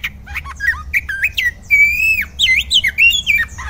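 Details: Oriental magpie-robin, a kacer from a fanciers' collection, singing energetically: a varied run of loud whistled slurs, rising and falling notes and harsh squawky bursts in quick succession, with a low hum underneath.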